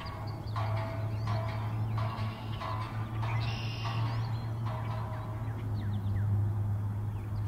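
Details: Common Grackle at Major Donnelly wildlife preserve, South Windsor, Connecticut, on 14 April 2024, gives harsh, scratchy chack notes and a squeaky rising call. They repeat about twice a second over a steady low rumble.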